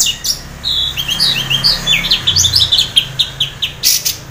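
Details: Orange-headed thrush, half in breeding condition, pouring out a fast run of short whistled and chirping notes, many in quick repeated groups, used as a lure to set other thrushes singing; low hum beneath.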